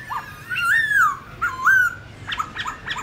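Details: Black-throated laughingthrush wild-voice song for training young birds. A few drawn-out, rising-then-falling whistled notes are followed by short, clipped chirps.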